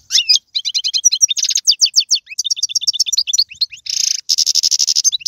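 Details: European goldfinch singing galoubi and serfati phrases from Algeria, a continuous, rhythmic run of metallic twitters and trills, with buzzy rasping passages toward the end.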